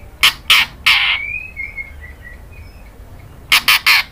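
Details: Female white-rumped shama calling the male: three harsh, buzzy bursts, a faint thin whistled run of gliding notes, then another set of three quick rasping bursts.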